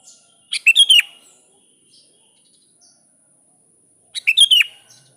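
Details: Kutilang, the sooty-headed bulbul, calling a rival: two bubbling phrases roughly three and a half seconds apart, each opening with a sharp note then a rolling, slurred flourish.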